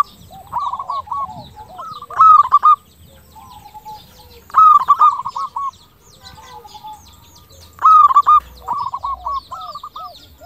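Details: Local zebra dove with a 'crystal' voice, singing actively as a lure to make other zebra doves answer and raise breeding drive. Three loud bursts of rapid stuttering coos, each trailed by softer rolling coo notes, with quiet pauses between.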